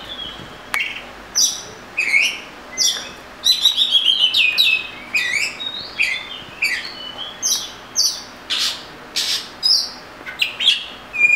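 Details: Oriental magpie-robin, known locally as murai kampung, delivering a varied song of sharp high whistles, rapid trills and slurred notes, with short phrases repeated at an irregular pace of roughly one or two per second.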